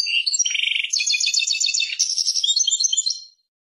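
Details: Persian European goldfinch singing a rapid song that opens with a low buzzy trill, then fast chattering rattles and bright twitters, fading out after about three seconds.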